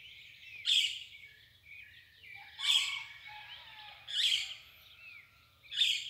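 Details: Dawn chorus of several birds at daybreak: loud, high, bright bursts come about every one and a half seconds over a steady background of thin chirps and twitters.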